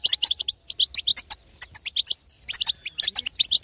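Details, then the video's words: European goldfinch hen twitter used to stir a male into singing; crisp high chirps in small clusters with short gaps, clean quiet background. "أقوى بتبته حسون تهيج وتهبل الحسون الساكت"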